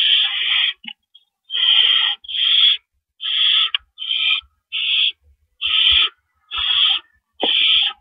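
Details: Nest owl at night, 4 April 2012, amid rabbit prey deliveries: a long string of loud noisy hisses, some drawn out, spaced irregularly about once a second, with soft knocks and scratching.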